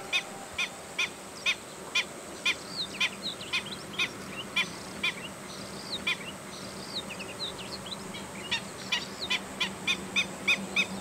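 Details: Anxious Black-winged stilt calls: repeated squeaky kek notes at an uneven pace, briefly thinning in the middle before quickening again, with soft twittering of other birds and a low background hum.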